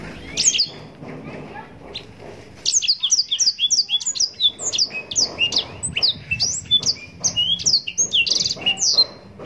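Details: Yellow-rumped serin (blackthroat) delivering long-running song with ornate phrasing, meant as tutoring material for songbirds: a few high chirps, a brief pause, then a dense, fast stream of thin, sliding whistles and twitters.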